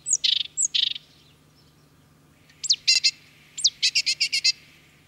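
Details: Great tit in France: paired high sharp notes each followed by a rasping buzz, then later a high slurred note leading into quick dry chattering series; a low steady hum runs throughout.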